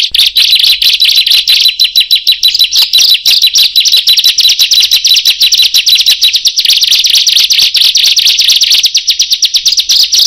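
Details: Bar-winged prinia, known locally as ciblek or prenjak, song used for luring birds: a loud, dense stream of rapid high chirps repeated about twice a second, forming a continuous harsh trill.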